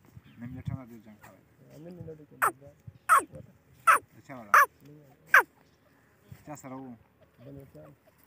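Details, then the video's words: Grey francolin (Gora or Grey Teetar) giving five loud, sharp, ringing notes about a second apart, with a man talking quietly before and after. "Gora Teetar Ki voice"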